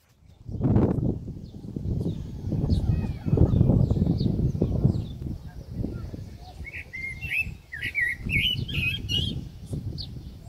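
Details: Common blackbird singing in New Zealand: after a stretch of low rumbling noise, a late burst of quick warbled, twittering phrases that rise and fall, partly masked by steady low background noise.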